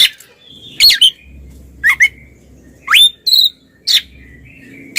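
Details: Ngeplong-style singing of twin Oriental magpie-robins, played to provoke quiet ones. Sparse sharp whistled upslurs and short chirps come roughly once a second over a low steady background hum.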